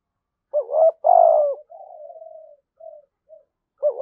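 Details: Spotted dove in a "thổ sấm" voice style, giving a full patterned cooing phrase: two short low hoots, a longer loud coo, then a softer trailing coo fading into brief quiet notes, with the next phrase beginning at the end.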